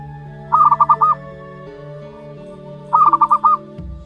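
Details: Month-old zebra dove chick, local natural strain: two bursts of five pulsed cooing notes about two and a half seconds apart, with steady low humming tones throughout.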